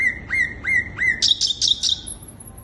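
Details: Sikatan londo flycatcher singing to lure other birds: four clear rising whistles in even sequence, then quick bright chittering notes, ending in a very high thin whistle.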